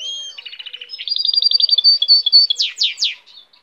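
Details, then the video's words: Goldfinch hybrid delivering a lively phrase: a long clear whistle, a run of quick ticks, a smooth rolling trill, then three loud sweeping downslurred notes to close. "cante de hibrid de sticlet - Mixto de Jilguero - الهجين الحسون"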